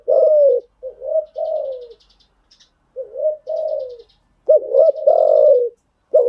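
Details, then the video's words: Spotted dove call used as a lure to train new birds: soft, throaty coos, some drawn out and gently falling, others opening with a sharp double hoot, separated by brief silences. "tiếng chim gáy dùng tập chim bổi mới hiệu quả"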